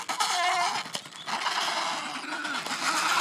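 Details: Adelie penguin colony fight on the Yalour Islands, Antarctic Peninsula, after chicks were fed; continuous harsh, raspy braying from many birds, with sharp knocks and scuffles.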